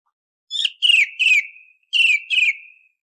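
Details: Song thrush notes used as a hunting lure before sunrise: a quick group of three bright, slightly buzzy high notes, then two more, each trailing off in a falling whistle.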